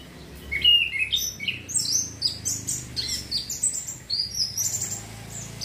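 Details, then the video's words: Orange-headed thrush song played to stimulate breeding urge: a fast, varied run of high whistled and warbled phrases, sliding and trilled notes tumbling one after another, with faint low background hum. "TERAPI ANIS KEMBANG PUNGLOR MEMANCING BIRAHI BIAR CEPET GACOR"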